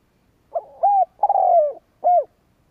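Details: Spotted dove decoy cooing to challenge rival birds. A low mellow phrase rises into an arched coo, runs into a long grating descending croon and ends on a short clean coo.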